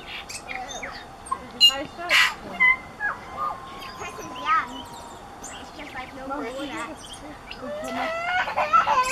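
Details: Tūī singing in woodland beside the Waikato River near Huka Falls, north-east of Lake Taupo, New Zealand. The song is a varied mix of clicks, short whistles and gliding tonal notes, with people talking nearby.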